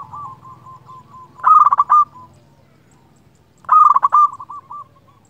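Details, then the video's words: Local zebra dove calling rivals: two loud bursts of fast, bubbling staccato coos about two seconds apart, each trailing off into softer, lower cooing notes. "Perkutut lokal gacor Ahlinya memanggil lawan bunyi sekali dengar di jamin gacor"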